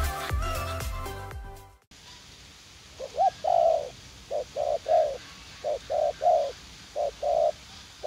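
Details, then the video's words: Spotted dove used as a decoy in a garden in U Minh, a young wild-caught bird eager to fight; after a brief loud musical burst and silence, low hollow coos follow in short and drawn-out notes with gaps. "Gác Cu Gáy / Bổi Tơ Háo Đá"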